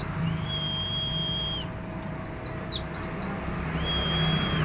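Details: White-eye singing in full 'ngalas' style with 'isian' filler phrases: a long steady whistle, then a rapid burst of thin, high twittering chirps, then another steady drawn-out whistle, over a constant low hum.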